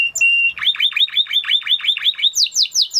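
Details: A Spanish Timbrado canary opens with a short level whistle, then delivers a rapid chain of downward-swept notes, finishing with higher, steeply falling swept notes.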